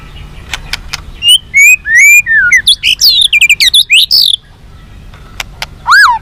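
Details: White-rumped shama delivering varied song to make captive shamas respond and fight: descending slurred whistles, tangled high warbling notes, a pause with clicks, then one strong down-curving whistle.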